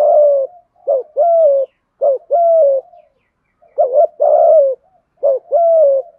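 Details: Spotted dove in "thúc gù" cooing, "giọng thổ" voice, described as "hạp bổi". A rapid run of about five two-part phrases, each a brief wavering coo and then a longer, falling, mellow coo, repeated roughly every second.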